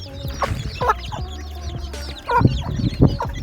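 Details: Young chicks cheep in a dense, high-pitched cluster, with a few louder downward chirps standing out above a heavy low rumble and soft sustained tones.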